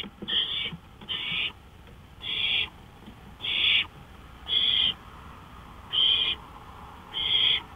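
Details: Owl out on a porch at night, May 5, 2013. Seven harsh hissing screeches repeat roughly every second, each short and noisy, over a steady faint hum.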